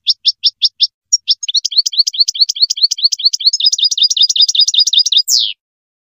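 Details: Song of a European goldfinch for tutoring young birds: a handful of quick chirps, then a long rushing twitter of bright, jingling notes packed closely together, finishing with a falling buzzy trill. The recording is otherwise quiet.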